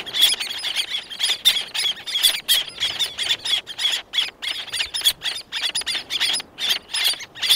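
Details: Close calls from several black-naped terns, more in the distance and wing beats heard; harsh, high squealing notes in quick bursts, many birds overlapping with brief pauses between clusters.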